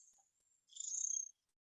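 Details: Tufted Tit-Tyrant, known locally as cachudito, a tyrant flycatcher common around houses in Villa Alemana, played back as a striking vocalization: a thin high whistle followed by a short, dense, buzzy trill near the top of hearing, lasting about half a second.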